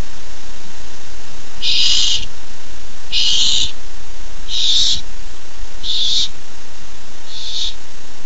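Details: Young barn owl in its nest on July 13, 2015, thrilled at the first treat: after a quiet second, five loud breathy screeches about every 1.5 seconds, growing shorter and fainter.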